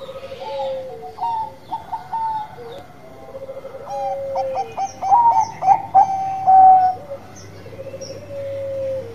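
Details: Bangkok-type zebra dove cooing actively: soft, descending, drawn-out notes give way to a burst of loud, bubbling, staccato phrases. Quieter long notes follow, with a low background hum.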